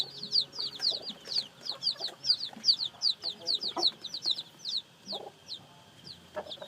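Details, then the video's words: Fresh-hatched chicks calling with loud high piping cheeps in quick succession, some pulses paired, fading toward the end amid soft knocks. "Âm thanh gà con mới nở kêu"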